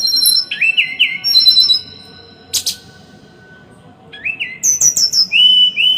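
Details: Small songbird training song: rapid high whistled phrases with quick upslurred notes and sustained clear tones, interrupted by a sharp click, over low constant background noise.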